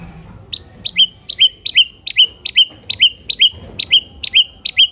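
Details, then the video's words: White-rumped shama song meant to provoke other shamas into answering and fighting: a loud, fast series of sharp whistled notes, each dropping from high to a lower steady tone, repeated over two times a second. "MURAI BATU GACOR , DIJAMIN MURAI MANAPUN AUTO NYAUT DAN NGAMUK SEKETIKA"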